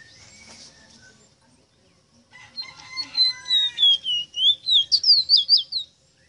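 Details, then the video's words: Song of a Rosita bird: after a quiet start, a long whistled phrase slides gently downward, then breaks into about nine quick, looping, rising-and-falling notes that grow louder. "EXTRAORDINARIO CANTO DE ESTA AVE ROSITA"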